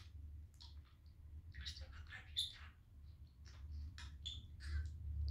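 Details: Cheerful male budgie talking at home while playing on a sunny day: soft, murmured speech-like chatter with occasional sharp high squeaks, irregular and fairly quiet against a steady low hum.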